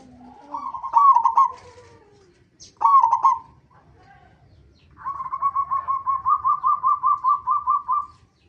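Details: Lure song from a local zebra dove to make other zebra doves sing: two short, stuttering coo bursts, then a long, accelerating trill of evenly repeated, bouncing coo notes lasting about three seconds.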